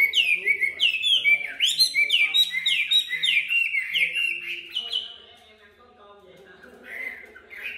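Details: A golden Chinese hwamei singing a loud, rich run of rising, slurred whistles, about ten quick phrases in four seconds, then a quieter pause with a few soft notes.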